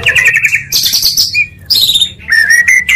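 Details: Oriental magpie-robin song meant to excite other magpie-robins into singing: short bursts of rapid trilled notes, high thin whistles and a sustained clear whistle near the end, separated by brief pauses, over a low hum.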